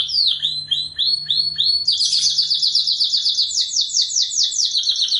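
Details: Canary tutor song, melodious and prolific: a run of separate rising chirps, then a dense rapid trill of repeated high notes.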